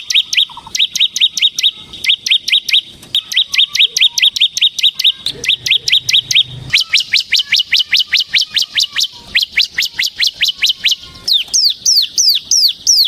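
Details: Ciblek semi, the Bar-winged prinia, singing continuously in 'ngebren' style: long, dense sequences of rapid high metallic chips several per second, shifting into louder downslurred notes and ending with quick falling whistles.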